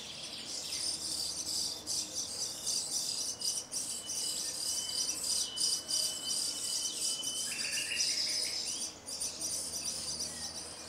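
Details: Common starling song in a grove near Jarun, Zagreb, in late April to early May 2017: long thin whistles, sliding notes and dense hissing chatter of high clicks and rattles, with a steady insect-like trill underneath.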